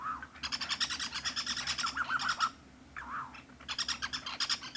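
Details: Striped Cuckoo in Kruger National Park, South Africa, Pafuri to Tsendze area: a slurred, falling whistle that breaks into a fast, harsh chatter of repeated notes, given twice in quick succession.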